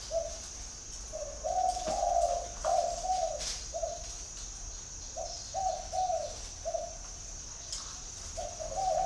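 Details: Spotted dove from Ba Vì district, Hanoi, Vietnam, cooing in repeated phrases of hollow, mellow notes, each phrase several coos long and separated by brief gaps, over a constant thin high-pitched hum.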